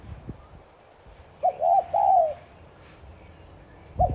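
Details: Spotted dove giving a 'thúc gù' cooing phrase, played to stimulate decoy doves to coo quickly; a warbling mid-pitched coo of a few linked notes, then a long falling note, with a new phrase starting at the end.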